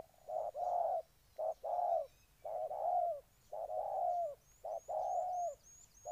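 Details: Spotted dove from Ninh Thuận, Vietnam, cooing in repeated low phrases: a short note followed by a longer rolling coo, cycling about once a second, with faint high thin chirps of other birds above.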